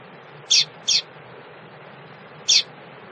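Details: Female double-collared seedeater calling to stimulate males: two quick, high, sharp chips close together, then a third after a pause of over a second. Faint steady hum.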